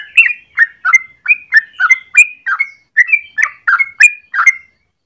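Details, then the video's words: Rapid morning song of a yellow-vented bulbul, kept as a lure or master for training birds: about a dozen separate bubbly notes, some sliding upward into short whistles, spaced roughly every third of a second. "Trucukan gacor ropel panjang pagi hari"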